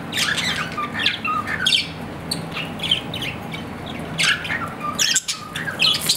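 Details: Budgerigar, a pet Australian parrot, producing a lively stream of squeaky chirps and short whistles in uneven bursts, with a brief dip in loudness near the end.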